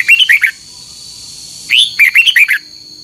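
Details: Contest singing by a red-whiskered bulbul in the morning, double-noted and long-voiced: a brief phrase of quick bubbly notes, a rushing pause, then a fuller phrase of six crisp rising-falling whistles.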